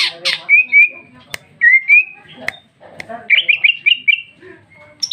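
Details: A female greater green leafbird gives a gacor ngeplong song: rising whistled slurs, then a rapid run of bright looping notes, punctuated by a few clicking and rasping bursts.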